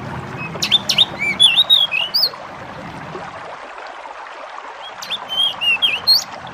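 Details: Bar-winged prinia (jidengan or decu) song mixed with nature sounds: clear whistled phrases of quick slurred notes in two bursts, separated by a pause, over a constant soft rushing background.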